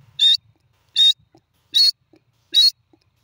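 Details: Grey francolin calling: four loud, harsh, high-pitched notes, each short and clipped, repeated steadily about every three-quarters of a second against near silence.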